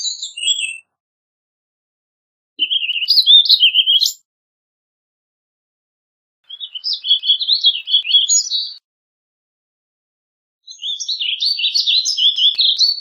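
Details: Warbling vireo song: three rambling, fast warbled phrases of slurred, twisting high notes, each lasting one and a half to two seconds and separated by silent pauses of about two seconds.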